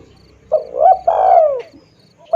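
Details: A single spotted dove phrase used as a bird lure: a short rising hoot, then a long coo that sinks in pitch, over a faint low hum.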